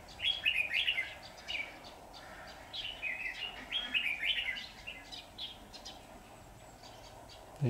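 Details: Red-whiskered bulbul decoy keeps dueling with wild rivals during trapping, 23 September 2019; loud, lively chirped and slurred phrases come in clusters, with quieter pauses between bursts and faint background hum.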